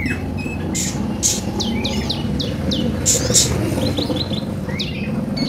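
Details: Caged sunbird, known locally as konin, played to prompt newly bought birds to sing: thin, high, sharp chirps and short downslurred whistles scattered through the clip over loud low rumbling traffic noise.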